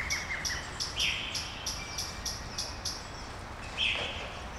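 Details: Birdsong at daybreak in Brasília, Brazil: a steady series of high, clipped notes about every third of a second, broken by two louder, fuller chirps, with faint background hiss.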